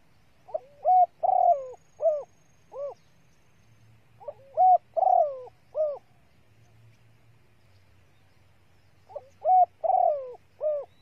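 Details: Female spotted dove (cu gáy mái) calling to draw out and excite males. Three regular phrases come roughly every four seconds, each of four or five hollow low coos with the longest, harshest coo in the middle sliding downward.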